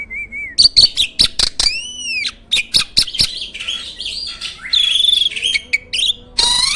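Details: Master champion starling for training competition songbirds: a short wavering whistle, then sharp clicks, arched whistled phrases and a long scratchy, buzzy chatter ending in a harsh burst.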